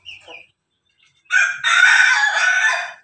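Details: Crossbred Pelung, Bangkok and Ketawa rooster giving a long, loud, raspy crow of nearly two seconds with a short opening note, after a faint earlier chirp and a moment of quiet.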